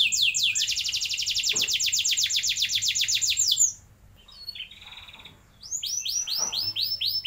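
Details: Canary singing to coax young birds into long rolls: a long rapid trill of about three and a half seconds, a quiet gap with a soft buzzy phrase, then broad arched whistled notes.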